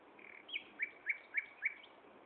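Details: Common nightingale singing at Gaasperzoom on 16 May 2012 at 15:30. A drawn-out whistle opens the phrase, followed by five sharp, rising notes repeated roughly every quarter second over a faint background hiss.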